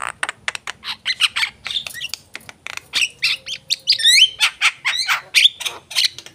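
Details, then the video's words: Vigorous Javan myna song mixing rapid clicking notes, raspy squawks and a few upward-sweeping whistles, delivered in steady bursts with brief gaps between phrases. "jalak kebo gacor"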